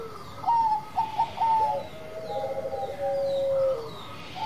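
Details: Zebra dove of the Bangkok line in full song, giving a few quick stuttering coo notes that give way to long, smooth, slightly falling coos.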